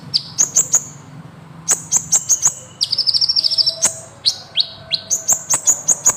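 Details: Kolibri Ninja sunbird singing in a lively, long rolling style, used as a tutor recording for training songbirds: very high, thin chirps and sharp downslurred notes, with a quick, even trill in the middle and steady faint low background hum.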